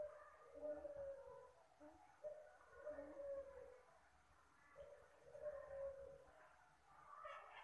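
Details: Puter Pelung dove giving a soft call used as a lure for birds: drawn-out, level cooing notes in runs every couple of seconds over a steady background hiss and low rumble.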